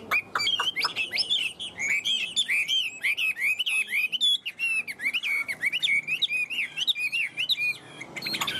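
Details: Caged Chinese hwamei in continuous song, a fast, varied stream of rich whistled phrases, sliding and warbling with quick trills and short breaks, loud and clear with little background.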